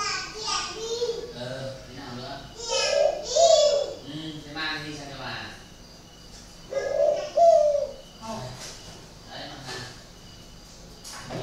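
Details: Two caged spotted doves with a strange voice in northern Vietnam; paired low coos sound twice, about four seconds apart, beneath steady male speech.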